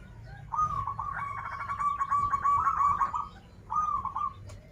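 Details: Local zebra dove from Banten delivering a long unusual phrase of rapid rolling coo notes holding a steady pitch for over two seconds, then a shorter stuttered phrase, with fainter overlapping chatter.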